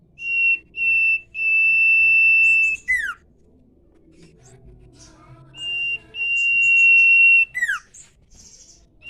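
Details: Common iora (cipoh) singing in the 'nyiul' style: long, steady, pure whistles at one high pitch, each ending in a quick downward slur, given in two bouts with short high chips between them and soft low background noise.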